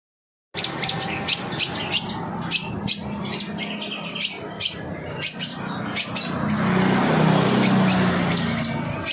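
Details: Long-tailed shrike song used as a lure to prompt other birds to sing: rapid sharp chirps and short high notes, roughly four a second, over a steady low hum and background noise.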